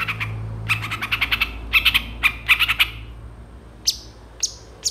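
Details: Long-tailed shrike singing vigorously in a song full of varied mimicked phrases: rapid bursts of scratchy chattering notes in clusters, then two thin high chips, over a steady low hum.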